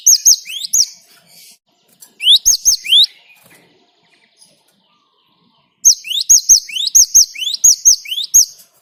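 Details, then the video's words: Great tit singing in a rolling, chatty style meant to lure other birds into song. Short bursts of repeated two-note phrases, an upslurred whistle then a sharp high note, with quiet gaps between bursts. "Ngalas Ngerol Burung Gelatik Batu Gacor buat Pancingan"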